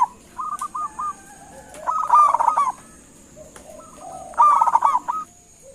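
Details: Local zebra dove, a lively caller, giving a lure call to draw replies: short trains of clipped cooing notes building into louder rolling bursts about every two seconds, with a constant high whine behind.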